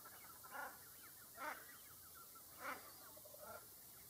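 A shelduck gives four short, nasal, honking calls at uneven intervals over about four seconds, against a soft background hiss.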